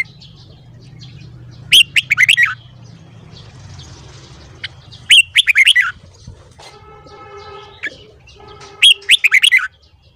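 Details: Caged red-whiskered bulbul giving its morning song during voice training: three bursts of rapid, loud whistled notes, with a faint steady tonal buzz between the second and third phrases.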